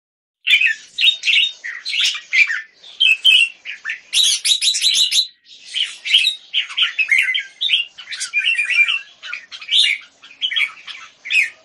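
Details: Caged red-whiskered bulbul (jambul) kept in Singapore, the left bird in a display, dated 09-04-2019: a dense run of bright, chirpy whistled phrases, rapid rising and falling notes with brief gaps, clear and free of other noise.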